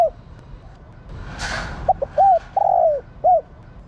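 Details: Hen spotted dove calling to excite male birds. After a short rushing noise comes a phrase of clipped hoots, a long downward-sliding coo and a final short note.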